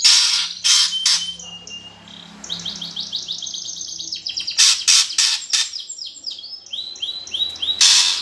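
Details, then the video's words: Greater green leafbird fighting song used to provoke competition birds: rapid runs of sharp repeated high chips and swept notes, interrupted by loud broadband bursts of noise. "PANCINGAN cucak ijo suara gereja tarung"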